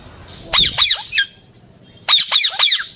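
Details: A baby Alexandrine parakeet gives two bursts of three harsh, scratchy squawks, each burst under a second long, with a short quiet gap between them.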